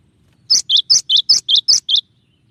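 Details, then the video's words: Cinereous tit song with shot-like variations, a clear training recording: eight sharp two-note phrases, a high note then a lower one, repeated rapidly over about a second and a half against a quiet background. "suara burung gelatik batu dengan variasi tembakan banyak yang nyari"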